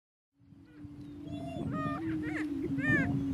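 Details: Two male Greater Prairie Chickens battling for dominance on a lek in northeast Kansas: a steady low hooting drone underlies rising, then louder, cackling and whooping calls with overtone-rich cries stacked above.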